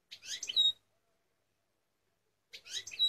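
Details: An eight-month-old European goldfinch sings two quick, liquid twittering phrases, each ending in a clear whistled note, separated by almost two seconds of silence.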